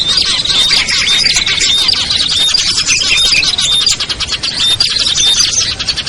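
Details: Small-bird lure sound for bringing down birds that are hard to attract, listing ciblek, kutilang, trucuk, sogon and perenjak; many overlapping high tweets and short whistles form a steady, busy chattering mass with no pauses.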